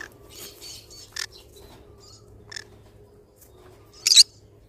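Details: Pineapple green-cheeked conure, a pet parrot, giving a few short harsh squawks spaced over several seconds, the last one loudest, with faint chatter and a low steady hum behind.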